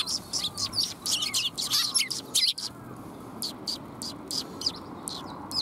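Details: Several sparrows coming to be fed, recorded 20 March 2021: dense bursts of short, high chirps and tweets crowd the first half, then sparser single chirps follow at uneven spacing over a soft steady background hiss.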